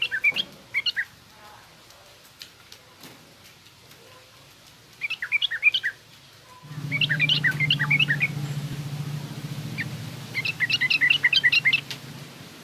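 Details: Trucukan garuda and harsh ngriwik song of a yellow-vented bulbul for training young bulbuls: scattered clusters of quick high chirpy notes, later joined by a steady low humming drone beneath the repeated bursts.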